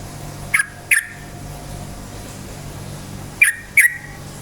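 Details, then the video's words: Yellow-vented bulbul, a loud lure recording to provoke other bulbuls: two pairs of crisp, sharp chirps about three seconds apart, each pair snapped out within half a second, steady low hum behind. "suara KICAU burung trucukan gacor cukcuk ropel, pancingan bagus trucuk jadikan trucukan ropel EMOSI"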